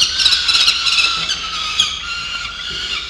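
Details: Peregrine nestlings in November screech nonstop at a camera nest, a loud, harsh, slightly falling wail with rough pulsing at the start.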